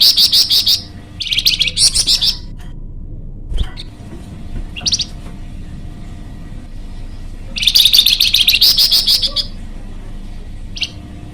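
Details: Energetic flamboyan bird song used as a lure or training model: dense, high, buzzy chattering bursts, several close together at the start, then scattered short notes, then another long trilled burst.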